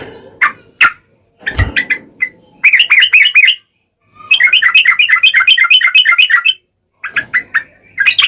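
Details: Scattered single notes and a low knock, then bursts of rapid bubbly, slurred chatter from a yellow-vented bulbul singing the sharp 'ngalas' wild-style song used to make other bulbuls respond.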